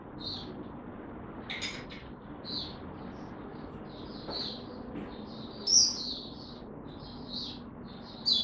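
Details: Oriental white-eye (Mata Puteh), described as buka tiong, recorded 25 January 2022 after the bird slept late the night before; short, high, thin chirps and twittering notes come in scattered bursts over a faint low hum.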